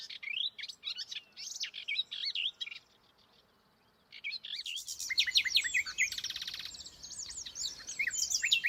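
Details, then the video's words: Dawn song of a male melodious warbler just returned from Africa, fast and full of imitations including African species: quick slurred chirps, a near-silent gap at three to four seconds, then louder busier twittering with buzzy notes. "After I had recorded the dawn chorus, I did find the melodious warbler singing fanatically about 500 metres further along the path. Here he is."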